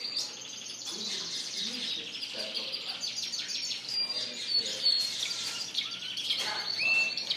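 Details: Caged Spanish Timbrado and Gloster canaries singing in a bird shop, April 9, 2016; a busy mass of high trills and twittering, ending with a clear upward-sliding whistle.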